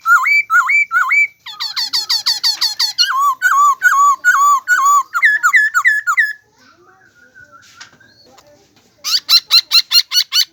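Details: Long run of bird calls: hooked upswept whistles, then rapid high chattering notes and dipping whistles, a brief quiet pause with faint murmuring, then a burst of fast high chirps.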